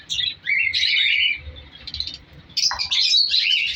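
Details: African lovebirds in a breeding colony aviary, colour varieties, in their winter second breed. Rapid, irregular shrill chirps from many birds, with a short quieter stretch before a loud squawking burst.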